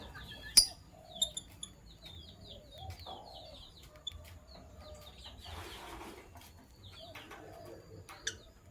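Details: Morning chatter from sky blue opaline and green opaline lovebirds: thin, high chirps repeated in quick strings, a few lower squawky notes, and sharp clicks and knocks from cage movement, with a brief noisy rasp midway.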